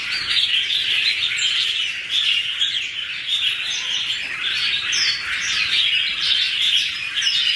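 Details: Red-whiskered bulbuls, two birds in duet, recorded 2016, pouring out dense twittering song punctuated by several quick descending whistled notes toward the end.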